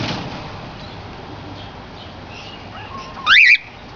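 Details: A cockatiel gives one loud, brief, rising whistled screech after a few seconds of quiet, during a cockatiel mating ritual that gets interrupted.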